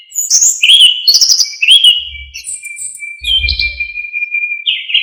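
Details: Orange-headed thrush singing a gacor full-isian song for training other songbirds: a tumble of shrill chirps and whistles, then a long steady thin whistle with soft low thuds beneath.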